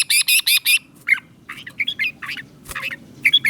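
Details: Red-whiskered bulbul song from Thailand, southern master style, used to stimulate caged birds: four loud harsh buzzy bursts open, then scattered short rising and falling warbled notes over a faint low hum.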